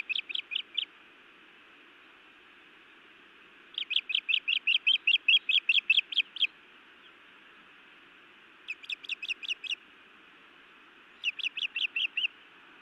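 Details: Scolding female osprey on a Montana nest, directed at her mate: rapid series of piercing, slightly descending chirps in four bursts, the longest run of about fifteen notes, over faint steady noise.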